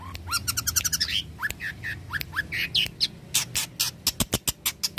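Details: Long-tailed shrike song used as a training recording, a mimic singer: dense varied phrases of rising slurred whistles, rapid clicks and sharp high notes in quick succession.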